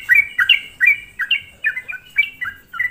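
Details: Sooty-headed bulbul lure song meant to agitate other bulbuls: bright, bubbly two-part chirps, each slurring up then down, delivered in an even, quick series, with a faint low background hum.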